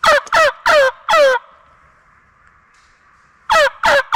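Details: A wild turkey gobbler on March 25 in a Mississippi national forest gobbles in two bursts of loud, rapid, throaty falling notes, with a quiet pause and faint hum between, while a calling hen draws him during a spring hunt.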